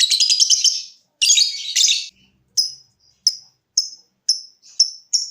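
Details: Lovebird, kept as a cage bird, in its ticking song: short sharp high ticks spaced about half a second apart, following bursts of dense buzzy chatter at the start.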